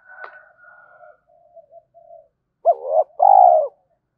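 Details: Lure recording of a spotted dove meant to get young captive doves cooing: soft, low murmurs first, then two loud coos near the end, a short arched note followed by a longer wavering one.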